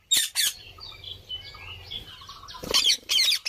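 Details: Green parrot letting out two quick pairs of shrill, rasping squawks at the start and end, with softer chattering and twittering notes filling the quieter middle.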